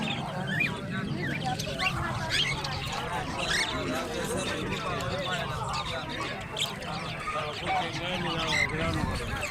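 Parrots chatter continuously in overlapping voices, with speech-like mumbles, nasal squawks and brief whistles, and no pauses throughout.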